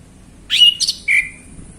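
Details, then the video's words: Male orange-headed thrush singing in a relaxed late afternoon, one brief phrase: a clear high whistle, a buzzy scratchy flourish, then a second slightly lower whistle trailing off, in a quiet background. "Anis Kembang Ngeplong Santai Sore"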